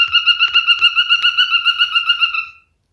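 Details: A male cockatiel kept as a pet sings a fast, even warbling trill on one whistled pitch, pulsing about four times a second for over two seconds before stopping abruptly.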